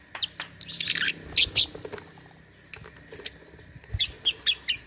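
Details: Contest lovebird singing; a buzzy rasping burst followed by sharp high chirps, a pause, then a short run of quick chirps.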